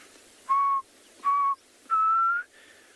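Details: Black cuckoo (Cuculus clamosus) calling at sunset on 2 November in Tswalu Kalahari Reserve, South Africa, near lions: three mournful whistles, the third longer and slightly rising, like "I'm so sad".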